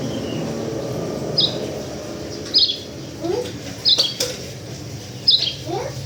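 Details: White-eye, local Sulawesi bird, giving four short, high, sharp chirps spaced about every 1.3 seconds, with faint lower rising notes between them over a steady low background hum.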